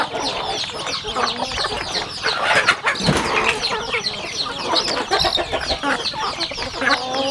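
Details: Chickens eating on a rural home farm: overlapping high peeps and clucks with pecking clicks, partly masked by a burst of low broadband noise near the middle.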